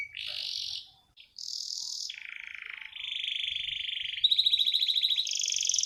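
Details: Canary roll song made of sustained buzzy and purring trills at different pitches, each held a second or more, with a short pause, ending in a bright pulsing trill.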